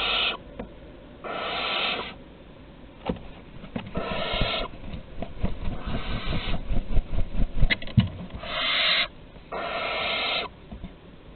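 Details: Barn owls in France at Théding on 23 August 2020, an older owl passing prey to a younger one; several rasping hiss-screeches mixed with a busy patch of scratching, clattering and rustling in the middle.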